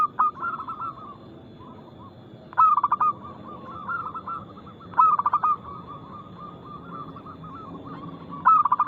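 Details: Fast, loud, crystal-voiced song of a local zebra dove: four bursts of quick pulsed coos come about every two and a half seconds over a steady chorus of fainter doves cooing.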